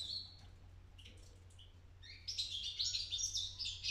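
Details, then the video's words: A young European goldfinch chick beginning to sing, trying out its first song: a soft, rambling jumble of thin twitters and buzzy trills, growing louder and busier toward the end, over a low hum. "بداية تغريد فرخ الحسون"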